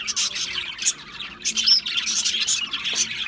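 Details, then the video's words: Budgerigar chirping: short bursts of high, rasping twitter separated by brief gaps, including a clear thin whistled note partway through, against quiet background. "Natural Parakeet Singing Birds | Parrots Chirping sounds"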